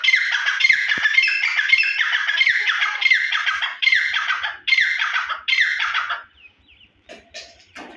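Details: Grey francolin (dhakni teetar) singing a long run of loud, grating, squealing phrases that merge at first, then separate into distinct bursts about every 0.8 seconds before stopping. Faint clicks follow in near silence.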